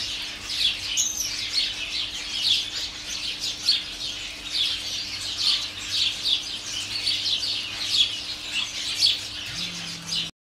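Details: Garden sparrow colony, some 30 or more house sparrows in holly and flowering currant bushes, recorded from a kitchen doorway: a constant mass of bright overlapping chirps with a faint steady hum below.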